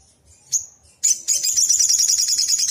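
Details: Excited sunbird (sogon) song played as a lure for other birds: one sharp high note, then a fast, continuous, piercing trill of rapidly repeated tiny notes lasting nearly two seconds.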